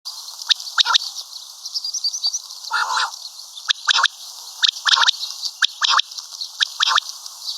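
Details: Common quail calling, listed locally as batair, karkari and maadi (female) batair sounds; short sharp clicking notes in pairs and triplets about once a second, with a few harsher, broader bursts and a steady high hiss behind.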